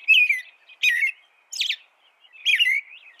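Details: American robin song: a few warbled, slurred whistles, one high-pitched strained squeaky phrase in the middle, and a trailing lower whistle, separated by short pauses in a quiet setting.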